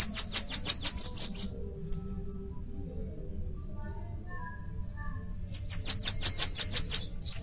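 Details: Two Bananaquit song bursts separated by about four seconds of quiet, each a rapid string of roughly ten high, thin, hissing notes ending in a slightly higher trill.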